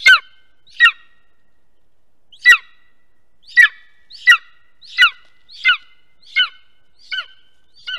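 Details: Golden eagle at its nest in Estonia, 2021, picked up by a nest camera: a series of sharp, downslurred, harmonic yelps, about ten in eight seconds at uneven intervals, in an otherwise quiet background.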